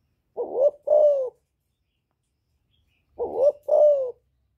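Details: Spotted dove calling to provoke rival males, 'giọng thổ' voice style: two identical phrases nearly three seconds apart, each a quick rising coo then a longer falling hoarse coo.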